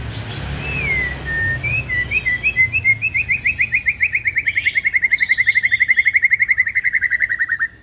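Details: White-rumped shama song used to lure a shama in the morning: a whistled opening phrase, then a long fast series of sharp repeated chipping notes accelerating into a steady trill, over background hum.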